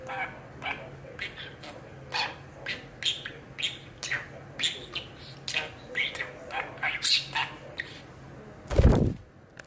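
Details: Eight-year-old male pet budgerigar perched on a rope high up, chattering at length indoors: a steady run of short, scratchy warbled and clicking syllables about every half second, ending in a loud thump.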